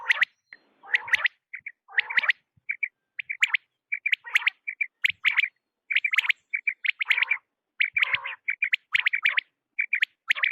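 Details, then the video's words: Quail calling through the night: busy, steady run of sharp chirps, short whistled notes and occasional rough calls, with hardly a pause. "بٹیر کی رات کی صاف آواز | Raising Batair Voice for Night | Quail Sound"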